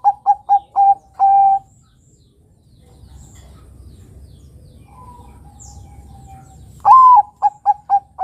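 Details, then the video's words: Zebra dove (perkutut), Bangkok type, a lure to get young birds singing: a series of clipped coos near 800 ticks ending in a longer drawn coo, a quiet pause, then a rising opening coo followed by short repeated coos. "Pancingan Suara Burung Kutut Perkutut Bangkok Gacor Ini Mudah Ditiru Kutut Bangkok Remaja Agar Bunyi"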